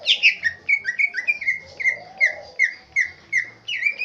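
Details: Green leafbird (cucak ijo) from Aceh Tengah, Indonesia, singing a swiftlet imitation: a quick series of about a dozen short, down-slurred whistled chirps, spaced roughly a third of a second apart, over a faint low hum.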